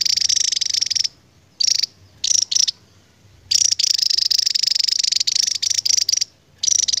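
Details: Long 'ngebren' trilling of the endemic Javan tesia: extended high, dense buzzy trills, one running nearly three seconds, split by brief silences.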